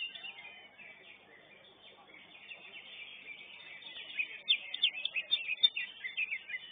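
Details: Singing competition, first class, for greater green leafbirds. Muted chatter of many birds builds into a lively burst of bright, rapid, downslurred notes in the last two seconds.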